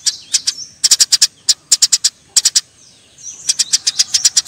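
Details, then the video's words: Eurasian tree sparrows fighting: irregular clusters of shrill chirps with thin, faint higher notes between them, a short quiet spell, then another quick series. "suara burung gereja TARUNG"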